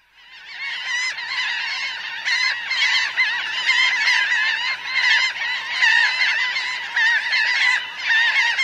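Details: Close recording of a large flock of about 1000 laughing gulls, on the ground and in flight, giving a dense, continuous chorus of nasal, wavering harmonic calls that overlap constantly and build in loudness after a quiet first half-second.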